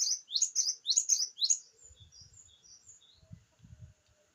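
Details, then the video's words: Java sparrow giving a short burst of rapid, high, bell-like chirps for about one and a half seconds, trailing into faint soft twitters over low thumping background noise. "glatik gacor"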